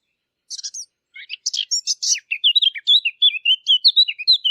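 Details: A Eurasian blackcap sings in a high-clarity recording meant for hunting devices: a brief scratchy twitter, a short pause, then dense chatter that broadens into a loud, fluty warbled phrase still going at the end.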